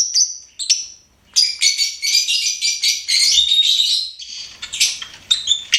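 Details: Lovebird kept as a pet, singing and chirping in a near-continuous run of high, scratchy twittering notes with a few clear whistles, after two short opening chirps.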